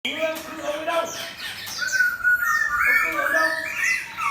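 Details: Caged Chinese hwamei kept for competition, placed facing a fighting bird, displaying with spread feathers: after a low harmonic opening, the song rises into loud, varied whistled phrases sliding between mid and high pitch.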